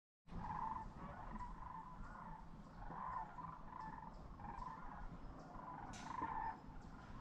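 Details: A flock of sandhill cranes gathered together gives overlapping rolling, rattling bugles, rising and falling every second or so over a steady low rumble of wind or distant traffic.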